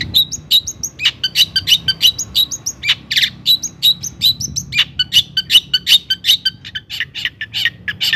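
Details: Long-tailed shrike song in gacor form, used to goad other shrikes into emotional singing: a long, busy stream of sharp chips, rasps and short whistled notes, quick and varied throughout.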